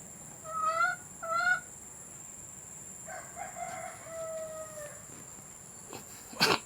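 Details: Chickens recorded to encourage hens to lay: two clear rising cackle notes, then a quieter distant crow, with a faint background hum.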